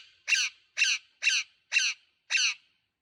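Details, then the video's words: Green parrot giving five harsh, raspy screeches, each short and evenly spaced about half a second apart, against an otherwise quiet background. "Green Parrot Talking Natural Sounds | Tote Ki aawaaz"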